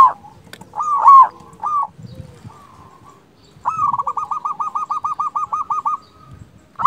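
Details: Local zebra dove in lively song, said to call rivals and stir emotion: clusters of ringing cooing notes, then a fast, even run of about a dozen staccato coos, with quiet low background rumble.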